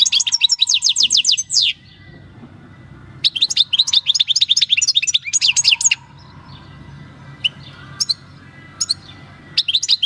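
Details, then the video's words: European goldfinch, wild-caught in 2018, singing natural field song: dense high twittering phrases with rattles, separated by quieter gaps holding scattered single chirps, over a faint low hum. "JILGUERO CAMPERO CANTANDO/Chant du chardonneret/Golfinch singing"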